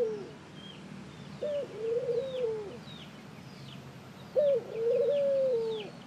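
A ring-necked dove gives two low, hoarse coos about three seconds apart, each a short note followed by a longer rolling phrase. Faint, high chirps from other birds sound behind.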